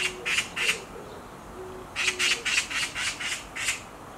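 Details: Black magpie on a tree branch giving harsh screams: three rasping notes, a pause, then a quicker run of about seven, with a faint low tonal note sounding in the gaps.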